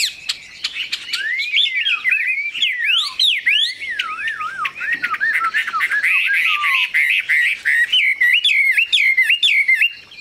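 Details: Long, rich song of a Chinese hwamei: swooping whistles that glide down and up, a run of clear descending slurs, then quick repeated rising whistled notes.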